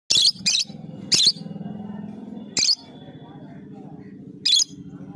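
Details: Lovebird chirping indoors: five sharp, shrill, very high chirps in short bursts, the first two close together, then single chirps spaced about a second or more apart, over a low steady murmur of background voices.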